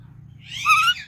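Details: Indian ringneck parakeet, a pet talking parrot, giving one short harmonic chirp with a rising, warbling tone over a low indoor hum.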